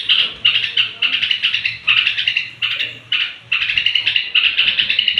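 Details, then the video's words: Straw-headed bulbul singing near bedtime, a song meant to stir up other bulbuls: bright, rapid chattering bursts of clipped notes, each under a second, separated by brief pauses, with a faint low hum beneath. "suara trucuk menjelang tidur ampuh naikkan emosi trucuk lain"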